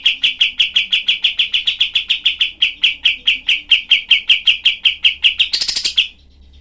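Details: Kapas tembak, the cream-vented bulbul, used as tutor material for songbirds, giving a long, tightly packed series of sharp, harsh chips that ends in a burst of buzzy, scratchy notes before falling silent.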